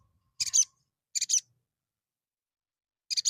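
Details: Lure recording of a little spiderhunter meant to draw fighter males: three bursts of piercing, high, buzzy double and triple chips, separated by pauses of one to two seconds.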